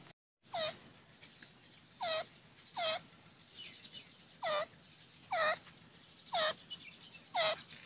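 A partridge gives loud, harsh, rising notes, seven in about eight seconds, spaced unevenly about a second apart, over a low background hum.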